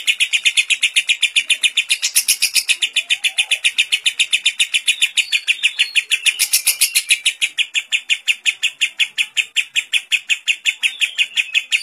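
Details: Extended lovebird ngekek with kapas tembak fill, used for song training: nearly twelve seconds of unbroken rapid, shrill chattering pulses, with louder brighter surges around the second and seventh seconds.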